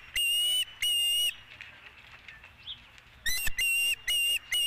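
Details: Two strong whistled chirps from an osprey at the nest with a fish, recorded 12 April 2017 near 5:51 PM. A quiet stretch with faint background rustling follows, then another rapid run of shrill, slightly rising notes.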